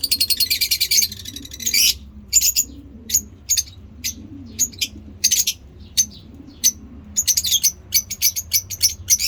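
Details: Pet African lovebirds in colour mutations make ngekek chatter. A fast, buzzy trill for about two seconds gives way to clipped, high chirps, spaced at first, then quickening into rapid runs.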